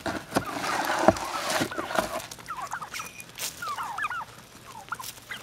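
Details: A gang of wild turkeys, fed since they were babies and now in their second generation, calling at feeding time: soft, short rising yelps and clucks scattered through the clip over a noisy, rustling background.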